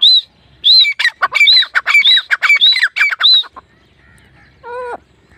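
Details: Grey francolin, known locally as teetar, in a call used for hunting: rhythmic series of shrill ringing and squawky notes for about three seconds, then a pause and one lower, rising harmonic note.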